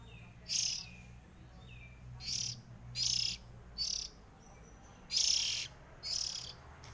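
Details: Oriental magpie-robin, one of three siblings, delivering loud bright chirped phrases at uneven intervals with thin whistled notes in between, over a constant low hum.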